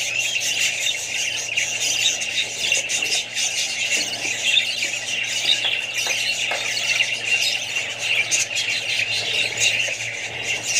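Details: A group of Australian budgies with babies among other birds fills the air with unbroken high twittering and scratchy squawks, many voices overlapping throughout, over a faint constant low hum.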